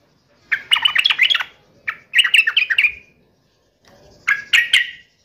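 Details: Sooty-headed bulbul in agitated fighting mode, giving three short bursts of harsh, chattering whistled notes separated by pauses.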